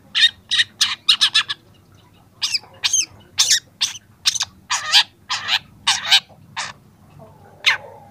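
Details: Young long-tailed shrike, used as a training recording and starting to show its mimicked phrases: a run of harsh, scratchy, broadband notes, in quick bursts and then more spaced strokes, with a short pause near two seconds.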